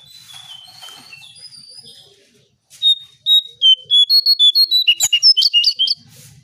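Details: Brown shrike sound used as a lure for birds: after faint high notes, a loud rapid series of sharp whistled notes, about three per second, clustering near one pitch and getting denser and more varied toward the end.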